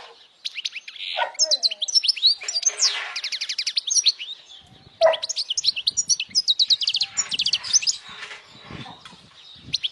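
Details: European goldfinch singing loudly, a song meant for young goldfinches to memorize, to attract females and get young birds singing: rapid twittering phrases of high trills and buzzy rattles, broken by brief pauses and a few lower liquid notes.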